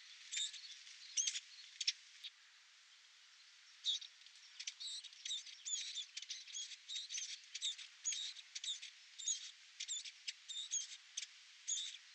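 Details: Song of a Eurasian blackcap during nesting: a brief opening of chattering notes, a pause, then a long fast run of scratchy, twittering phrases with occasional thin whistles.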